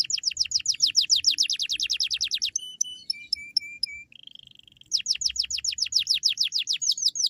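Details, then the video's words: Lively canary singing meant to prompt other canaries to sing, with rapid repeated downward-sweeping chirps, a pause of flat whistled notes and a short trill, then another fast chirping burst. "Suara burung kenari GACOR Cuit cuit nembak AMPUH ‼️ cocok untuk pancingan kenari lain"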